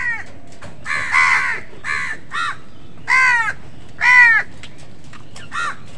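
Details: Crows fighting with wild birds over food give a series of harsh, buzzy caws, each a short burst, some drawn out and some clipped, roughly five or six calls over several seconds against a low background rumble.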